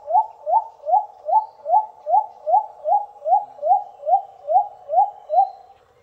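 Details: Shy Little cuckoo-dove calling from shaded forest: a long, even run of brief rising hoots, roughly two and a half each second, every note alike, in a quiet background.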